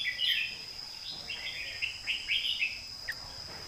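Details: Red-whiskered bulbul singing the southern master song style, heard softer here. A string of short fluty whistled phrases with slurred, rising and falling notes, over a steady high insect-like whine.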